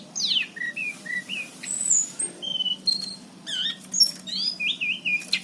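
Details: Orange-headed thrush from Cirebon, recorded 2019, delivering a busy song of sweeping downslurred whistles, short twisting phrases and high squeaky notes in rapid, varied sequence over a faint low hum.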